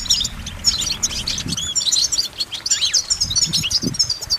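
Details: Goldfinch song of rapid high chirps and jingling trills, with a few lower downslurred notes and soft low thumps in the background.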